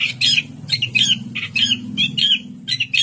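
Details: Orange-headed thrush from Indonesia giving harsh, squawky mid-pitched notes about twice a second, some rising slightly, against a constant low mechanical hum.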